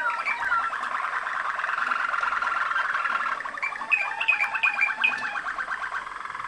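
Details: Waterslager Malinois canary, Macedonian-bred from former contest champions, delivers a long continuous rolling water-like trill, then brighter whistled rising notes and a faster chopping series near the end.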